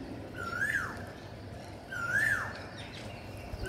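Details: Green parakeet during feeding, two clear arched calls that swoop up and fall away, spaced about one and a half seconds apart, over a low steady background hum.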